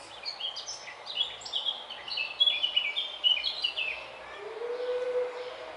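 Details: Four peregrine falcon chicks, 29 May 2021, beg around a feeding by the adult at the nest box with a continuous overlapping chorus of high, thin, shrill chirps and squeals; a faint lower drawn-out tone near the end.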